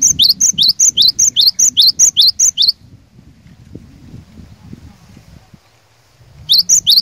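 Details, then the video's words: Cinereous tit, a vigorously singing lure bird meant to challenge rivals: a fast run of ringing high whistled double notes, about two and a half per second, stops suddenly, then resumes after a quiet gap. "Kicauan Glatik Batu Pikat Gacor Door, Cari LAWAN...!!! Dijamin Cepat Bikin Glatik Lain Bunyi Gacor"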